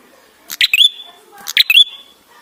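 Ashy tailorbird song: two matching phrases a second apart, each a burst of sharp ticks followed by a bright rising whistle that holds high. No other sounds are heard.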